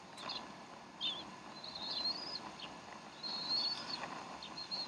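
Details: High drawn-out whistled squeals from bald eagles at their Decorah nest, 12 April 2012 at 3:10 pm Central Time, the mother feeding the young; two long wavering notes with brief chips between, over constant hiss.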